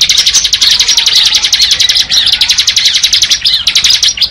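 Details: Bar-winged prinia singing in the ngebren style: a dense, rapid, high buzzy trill of fast-repeated notes running almost unbroken, with brief dips and restarts, loud and close.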